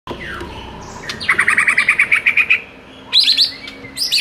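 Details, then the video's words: White-rumped shama song used to rouse a shama that sings too little: a fast series of about twelve ringing, evenly spaced notes, followed by high sharp whistled bursts, over a steady background hiss. "MASTERAN UNTUK DONGKRAK EMOSI MURAI BATU YANG KURANG GACOR"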